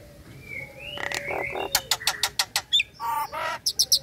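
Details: Caged female Nias hill myna in breeding mood calling the male: a slurred rising whistle, then a fast series of harsh clicking notes and a pair of rough buzzy bursts.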